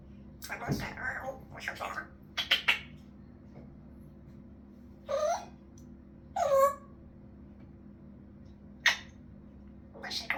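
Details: African grey parrot indoors making fart noises, laughing and talking. Short separate vocal bursts, some with swooping sliding tones, spaced by quiet gaps over a steady low room hum.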